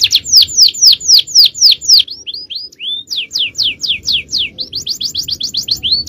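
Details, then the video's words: A canary sings in the champion 'cengkok jawara' style on a long training recording for other birds. Loud, spaced, sweeping downslurred whistles give way to a quicker run of short rising and falling notes. "Aksi Kenari||Cengkok Jawara||Full Power Canary Action||Cengkok Champion"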